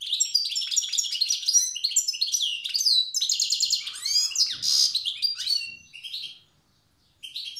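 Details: Old song style from a wild Tiaret goldfinch: a continuous, fast medley of sweet twitters, sliding whistles and buzzy trills, ending after a short pause with one more burst.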